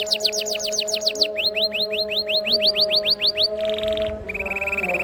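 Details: Canary phrases used to stimulate lazy canaries: rapid descending sweeps, then a row of rising whistled notes, a dense buzzy trill and a flat steady trill, over a constant droning background tone.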